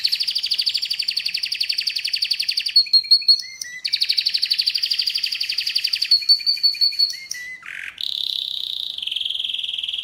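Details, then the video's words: Canary in full song. Long, rapid, high buzzy rolls are broken by short whistled notes and a low swooping note. The clip ends with steadier, smoother trills. "Canary's voice A very beautiful canary's chirping canary's voice"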